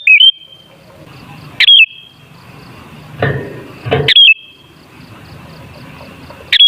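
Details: Sooty-headed bulbul singing, intended as a lure for bulbuls: brief cheerful bubbly phrases repeated every two to two and a half seconds, with a couple of soft low knocks between them.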